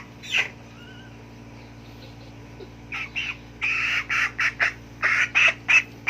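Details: Chicken starting with a few isolated squawks, then breaking into a fast series of rough, nasal clucks, roughly three per second, over a low steady hum.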